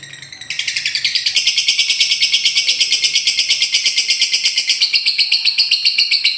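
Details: Lovebird giving ngekek as a lure for silent birds: after a quieter start, a sustained rapid rattle of shrill, buzzy chirps runs on evenly, several notes per second, with light background noise.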